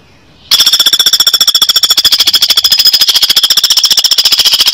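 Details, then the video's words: A woodpecker gives a loud, harsh, high rattle of rapid, even pulses, unbroken for over four seconds after a brief silence. "KICAU MANIA MASTERAN BURUNG PELATUK ORIGINAL"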